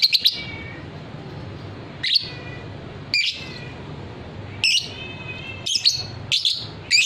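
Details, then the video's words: Caged fighter lovebird in a training recording for long ngekek trilling; clusters of shrill, harsh chirps with some ringing tonal notes, several in quick succession near the end, over a low background hum. "suara lovebird paud figter"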